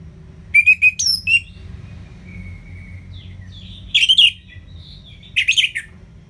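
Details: Orange-headed thrush (anis merah) giving ngeplong song meant to prompt reluctant birds to sing: a quick group of whistled notes with a sharp upward sweep, soft thin whistles, then two dense chattering bursts a second apart.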